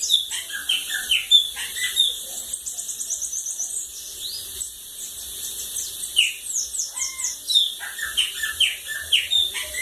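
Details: Bananaquit song of the cachorro loco da lagoa d'água type, with very high rapid twittering trills, clusters of sharp downslurred chips and an occasional lower whistle, all over a faint hiss.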